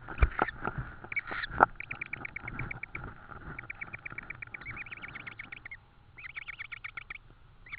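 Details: Tawny owls at a nest in Estonia, recorded on 4 May 2013 in the evening during a food delivery of an insect. Rapid series of short, repeated chittering notes come in several runs over a low rumbling hum and occasional knocks.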